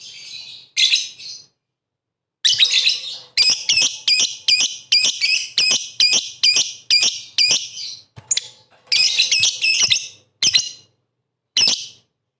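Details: Lovebird singing hard as bait for rival lovebirds: short harsh chatters, then a long run of rapid, shrill, squeaky notes with brief gaps, ending in a few separate bursts.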